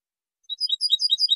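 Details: Softer European goldfinch song snippet from a 2023 tutoring recording: a quick burst of high, jingling twitters and chirps after a pause.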